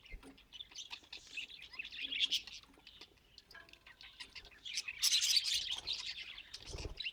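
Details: Joyful budgerigar warbling, a fast stream of high chirps and chatter that swells louder toward the end, with a low thud near the close.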